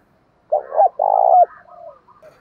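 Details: After half a second of silence, a single strong spotted dove phrase: brief coo, then a long burry coo, trailing off into softer coos. Male and female calls are used to stimulate kept doves.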